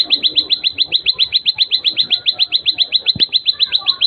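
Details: Plain prinia delivering an unbroken series of sharp, evenly spaced high notes, about four each second; faint other birds calling in the background.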